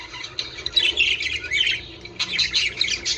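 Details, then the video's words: Budgerigars warble and squawk in two bursts separated by a short quieter gap, the chatter meant to prompt mating among caged birds. "من أجل تحفيز طيور البادجي على التزاوج"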